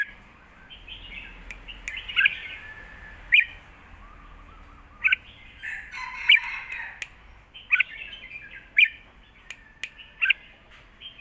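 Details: Caged red-whiskered bulbuls trading songs phrase for phrase in a duel, southern master-pattern style. Short bright chirping phrases come in scattered bursts over a low, steady hum, with sharp clicks between them.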